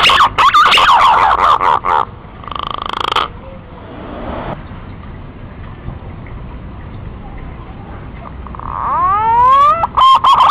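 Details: Male green pigeon recording, played to attract wild birds when trapping: bursts of rich, fluting whistles open the clip, then a long stretch of faint rushing noise, then a final series of sharply rising, bending whistled notes.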